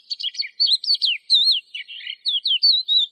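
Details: Brief burst of lark song: fast liquid warbling with down-slurred whistles strung closely together.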